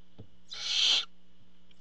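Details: One long, breathy hiss lasting about half a second from barn owls at a camera-monitored nest as a parent brings food, with a faint low hum behind it.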